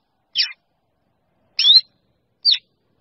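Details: A few well-spaced calls from a black drongo summoning the flock: a scratchy descending note, a louder buzzy note with a rising whistled slur, then a short squeak.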